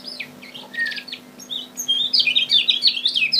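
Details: Lombok kecial kuning (lemon-bellied white-eye), a lure recording meant to trigger birds into singing: thin high chirps early, then a dense run of rapid, bright twittered notes sweeping up and down, cleanly recorded with nothing else audible.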